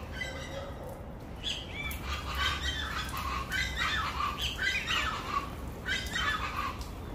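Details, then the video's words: Several chachalacas calling together, a raucous chorus of harsh, overlapping squawking notes repeated rapidly at about three or four per second, rising and falling in bursts, over a steady low rumble. "Se me adelantan las chachalacas"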